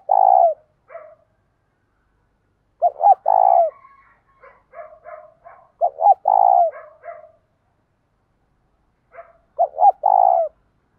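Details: A spotted dove gives its complete 'giọng thổ' and 'thúc gù' song in the morning to call in wild doves. Four deep coo phrases are interleaved with soft staccato notes that form a busy, rhythmic sequence.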